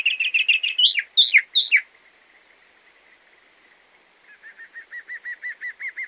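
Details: Sabiá-do-campo, the chalk-browed mockingbird of Brazil: a quick burst of rapid chattering notes and three loud descending slurred whistles, a pause, then a steady series of softer clipped notes.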